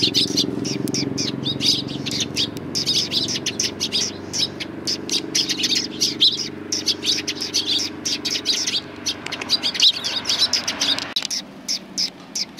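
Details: Sparrows coming to be fed on the front approach of a Tenmangu shrine, 24 April 2020; a flock gives dense, rapid overlapping chirps and tweets throughout, over a steady low mechanical hum that stops near the end.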